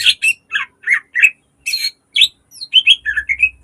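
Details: Green leafbird song for luring and schooling caged birds: dense run of loud chirps, harsh rasping bursts and clear whistled notes, ending in a quick rising and falling whistled series, faint low rumble in the background.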